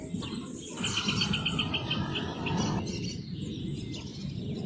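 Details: Rufous hornero singing a quick series of short, sharp, evenly spaced notes for about two seconds over steady rustling background noise, followed by fainter scattered notes.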